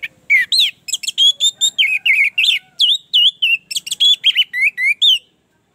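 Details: Caged orange-headed thrush singing, used as a prompt for a bird slow to sing: a continuous, varied stream of loud whistled and warbled phrases with rising and falling slurs, nearly unbroken for five seconds.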